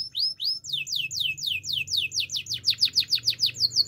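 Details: Russian canary song: a fast series of clear downslurred whistled notes repeated about three times a second, speeding into a tighter, louder rhythmic run toward the end.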